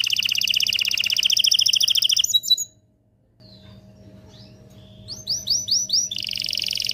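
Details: Strong canary song to excite a mate: a fast rolling trill stops abruptly, leaving a brief near-silence, then returns with a few loud swooping notes and another rapid trill, over a faint steady hum.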